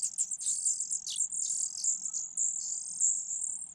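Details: Begging from a brood of four Fujian niltava nestlings tucked in grass, hungry during feeding; an unbroken, piercing high trill of massed squeals that wavers slightly in pitch.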